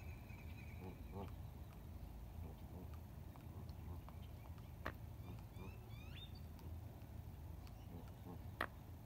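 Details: Quacking ducks at dawn on the Colorado River, Lake Havasu, near Needles, California, April 12, 2021, iPhone 7 recording: short runs of nasal quacks early on, then high chirping notes from other birds, over a steady rumble of water and distant engines.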